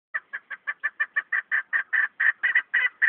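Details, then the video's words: A chukar partridge gives a rapid run of harsh clucking notes, about five a second, that grow longer and louder as the series builds. "Keklik Sesi"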